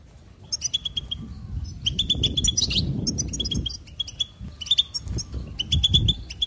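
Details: Singing goldfinch delivering quick chattering phrases of sharp, high chirps and liquid trills in repeated bursts, with a low background hum underneath.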